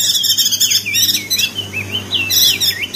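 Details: Lively ngeriwik song of a crested white-eye, Lombok, West Nusa Tenggara, for training birds that sing little: continuous looping, warbled twitters that swoop up and down, with buzzy overtones throughout.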